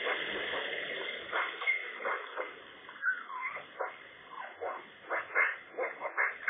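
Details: A magpie at the nest, sunny and a little chilly, as the pair guards the nest against challengers; rambling harsh warble of rasping syllables mixed with a few squeaky whistled notes, speeding up toward the end.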